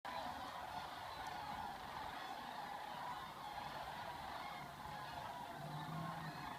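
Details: Sandhill cranes leaving Gainesville, Florida, on February migration back to Nebraska form a dense, steady chorus of rolling, trumpeting calls overlapping without pause over a low background rumble.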